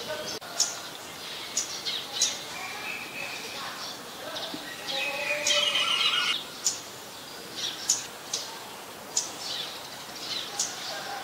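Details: Rapid series of hard, high clicking ticks, some in quick pairs, from a scarlet-backed flowerpecker in Ubon Ratchathani, Thailand, 5 February 2020, with a brief buzzy high burst midway and other birds chirping in the background.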